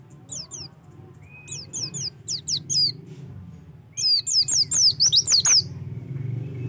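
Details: Oriental white-eye song used to prompt singing: scattered soft high descending whistles at first, then a louder quick series of sharp down-slurred notes, over a steady low background hum.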